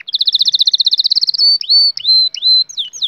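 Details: Canary singing for training young canaries: a rapid chattering trill of high notes, followed by several drawn-out, level whistled notes with quick upward and downward slurs.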